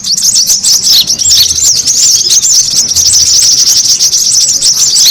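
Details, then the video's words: Brown-throated sunbird lure chorus to draw birds in: sharp, high chips and wavering slurred notes pour out densely and evenly throughout. "SUARA PIKAT KORLAP RIBUT AMPUH BURUNG SEKEBON AUTO NGUMPUL"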